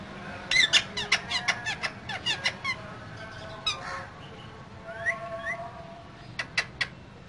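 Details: Two green parrots in a cage chattering: a rapid series of sharp squawks and clicks, then drawn-out rising and falling whistles, ending with a few more clicks.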